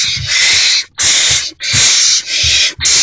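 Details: Owlet in a nest box at night, 1:22–1:30 am on 16 March 2024, swallowing a newly delivered rodent; harsh broadband hissing bursts nearly continuous, broken by four short gaps, with faint low thumps beneath.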